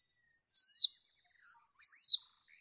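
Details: Female white-eye used to arouse males in bird training, giving two loud, high, down-slurred chirp notes a little over a second apart, each trailing into faint soft chatter.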